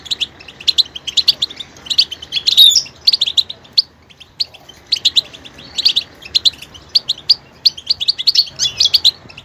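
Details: Goldfinch singing rapid, high jangling phrases of chirps and buzzy notes, with a quieter pause near the middle before the twittering resumes.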